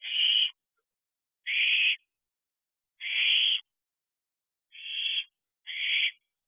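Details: Young owls together on an owl box perch in the small hours, 30 June 2023; five loud, noisy hissing shrieks, each about half a second, spaced roughly a second apart against silence.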